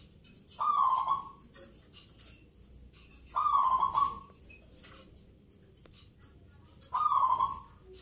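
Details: Local zebra dove singing actively at a Nglagu Ngepat Mentaraman song contest in Yogyakarta, Indonesia, on a Saturday night. Three mid-pitched cooing phrases, each under a second, sound roughly every three seconds over a low background murmur.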